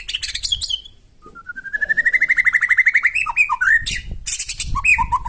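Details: White-rumped shama delivering loud, coarse song to goad other birds into answering; opens with harsh high bursts, then a long rising series of rapidly repeated whistled notes, ending in varied slurred phrases.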